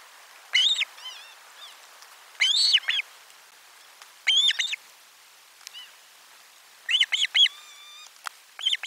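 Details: Osprey calling at nest camera 4, 12 July 2022, fish delivered at lunch; loud separated bursts of sharp arched whistles, with a soft thin even-pitched trill near the end.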